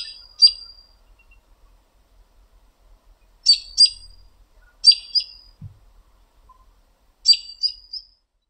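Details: Backyard American robin calling in the evening to other robins answering around it; sharp, high 'peek' and 'tut' notes, often paired, given in spaced bursts with short silent gaps between.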